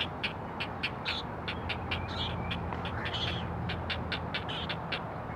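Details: Four great blue heron chicks on a live nest camera at the Chesapeake Conservancy calling to their mother: rapid ticking clicks repeated about once a second with short buzzy notes, over steady low rumbling background noise.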